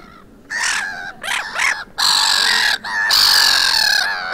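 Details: Quarrelling black-headed gulls on a beach at Vannes, Brittany, 6 March 2023; harsh grating screams and short rasping squawks follow one another rapidly, some cries long and strained, with overlapping birds.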